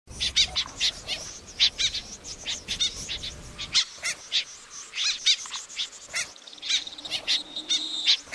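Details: Snipe calls from a lure recording meant for trapping birds at night: sharp, high, clipped chirps in rapid irregular series, about two to three per second, some doubled, with a faint low hum early on.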